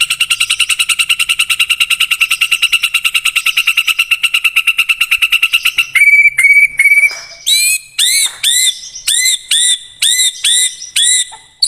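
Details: White-rumped shama song used as a lure to make a kept shama sing along and get fired up: a fast, even run of high repeated notes for six seconds, then clipped whistles and bright upward-hooked notes spaced about half a second apart.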